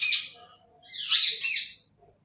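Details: Indian ringneck parrot, a talking bird, lets out two loud, raspy, high squawks, one short and one drawn out. No other sound is heard.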